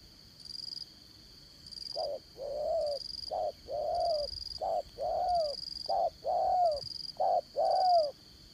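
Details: Spotted dove kept as a trapping decoy, singing in the 'đồng son' voice: soft low coos, each short note followed by a longer slightly falling one, repeated in a loose rhythm, with a faint pulsing high hum behind.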